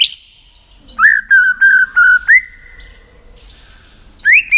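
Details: [4, 'White-rumped shama flicking its tail while singing to spur rivals into contest song: an upslurred whistle, then five even, clear whistled notes at a steady pace, a long level tone, and a final rising phrase.']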